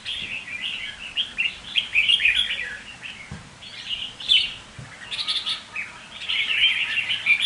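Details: Red-whiskered bulbul kept as a decoy bird, singing bright, fast chirpy warbled phrases in bursts separated by short pauses, with a faint soft thud midway and no other sounds.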